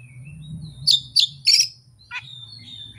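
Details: Oriental magpie-robin (kacer) singing its full learned repertoire (isian) with no tutor recordings and no rival bird: three loud, harsh, buzzy bursts, a sharp downward note, then thin high whistled phrases over a steady low hum.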